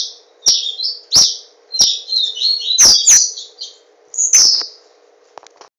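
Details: Caged papa-capim seedeater, Garanhuns, Pernambuco, Brazil: spaced chirps leading into a buzzy warbled song with high slurred notes and a final strong phrase, over a steady low hum and occasional clicks.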